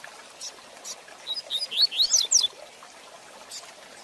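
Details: Rusty-collared seedeater in a training recording for young birds, giving a quick Tui Tui Zel Zel de Fibra phrase: a string of high, sharp, sliding whistles that speed up, with soft ticking sounds before and after.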